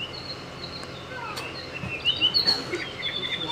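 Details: Apapane, a large bird said to be relaxing, in Hawaii Volcanoes National Park; scattered high thin whistled notes and short slurred chips, brightest midway, over a steady hiss of background noise.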